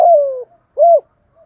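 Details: Spotted dove singing in the "thổ pha" voice style, played to lure and stimulate newly caught birds to coo: a loud, long mellow coo gliding slowly downward, then a short arched hooting note, in quiet surroundings.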